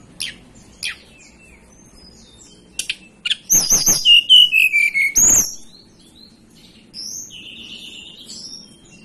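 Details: A few sharp high chips, then the hill blue flycatcher, a native of the mountains of Banten and West Java, Indonesia, sings a clear whistled phrase descending note by note, with a softer whistle trailing after.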